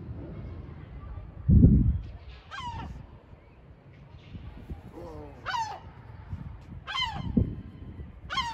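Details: Gull calls from a nest on the porch of a building: several harsh, nasal cries that slide downward, given singly or in quick pairs at irregular intervals, over low thuds and background rumble.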